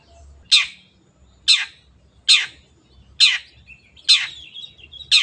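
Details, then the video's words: Long-tailed shrike, a singing cage bird used as a training recording for other kept shrikes: harsh, buzzy notes sweeping downward, repeated about once a second, with a faint low hum beneath. "MASTERAN BURUNG CENDET GACOR"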